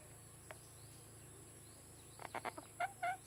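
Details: Rescued, free-roaming blue-naped parrot calling on seeing a photo of itself on an iPad: a quick run of soft, throaty clucking notes, then two short whistled tones, over a steady high insect buzz and low hum.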